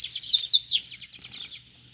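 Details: Male double-collared seedeater, a caged bird challenging two free wild rivals to fight, sings a fast high twittering phrase of rising and falling slurred notes, fading into softer chips after about one second.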